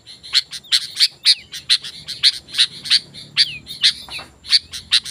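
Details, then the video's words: Sooty-headed bulbul singing vigorously as a lure for wild birds: rapid bright chirps about three per second, with a few short drooping whistled notes woven in over a low rumbling background. "Suara Burung Kutilang Gacor"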